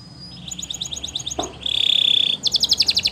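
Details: Belgian canary singing for training: a quick series of high chirps, a dense buzzing roll, then a fast repeated trill, over a noisy background hum.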